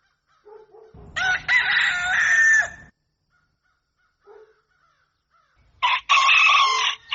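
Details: Rooster crowing at dawn: a loud, hoarse, drawn-out crow lasting about two seconds, a pause with faint distant notes, then another crow starting.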